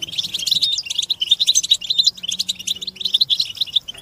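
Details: European goldfinch song from group mating and readiness calls meant to stimulate captive males: quick clusters of bright, liquid chirps and twittered trills, each run lasting under a second and followed by another, with a faint low hum.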